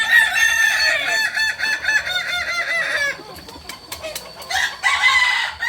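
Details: Crowing practice of Kokok Balenggek roosters at Amko, Solok city: a loud, rich crow rolls through a chain of quick undulating syllables for about three seconds, then quieter clucks and another crow from the group.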